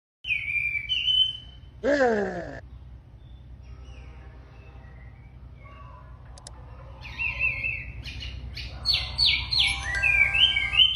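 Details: Very tame wambi singing actively: a high whistled phrase opens, then a sharp falling harmonic sweep, a quiet gap with faint notes, and a closing burst of quick high slurred and buzzy phrases over steady low hum.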